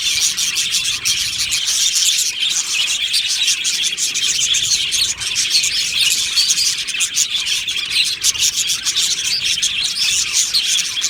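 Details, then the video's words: Budgerigar colony in an aviary, dense continuous high-pitched chirping and warbling from many birds at once, a steady busy chatter with sharp clicks throughout. "Beautiful Happy Budgie singing and chirping sounds"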